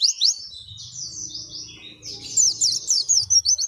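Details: Oriental white-eye 'ngalas panjang' long song for encouraging captive birds: high, slurred twittering notes over a low steady hum, growing into a quick run of sharp chirps near the end.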